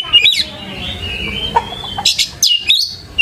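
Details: Brief white-rumped shama lure song: a few sharp chips, then a long steady whistled note, ending in quick bursts of clicks and rising whistles.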